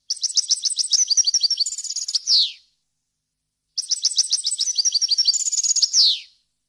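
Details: European goldfinch delivering clean, varied wild-style song for tutoring young birds and hybrids: two matching phrases of quick, bright twittered notes building to a sustained trill and ending in a falling buzzy slur.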